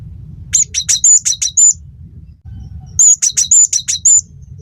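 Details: A cinereous tit in full, lively voice, used to tutor and stir other songbirds to sing. Two bright phrases of six or seven piercing high whistles in fast succession, separated by a pause, over a faint low hum.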